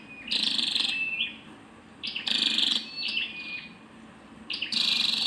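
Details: Female scarlet-backed flowerpecker: three harsh, buzzy high-pitched bursts about two seconds apart, each followed by thin twittering notes, over a faint steady high tone.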